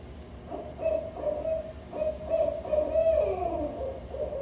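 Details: A Barred Owl of the Pacific Northwest gives a rhythmic series of deep, rounded hoots, the familiar 'who cooks for you' phrase, ending in a drawn-out, descending note.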